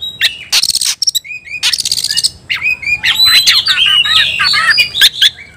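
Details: Oriental magpie-robin singing to provoke fighting, in a fierce fighting style of song: bright whistled phrases around the upper range mixed with sharp clicks, buzzy bursts and rapid chattering notes, becoming dense and continuous after three seconds.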